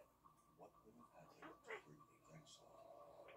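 Blue-winged macaw giving a few short, harsh, raspy squawks, loosely spaced about a second apart, over a quiet indoor background.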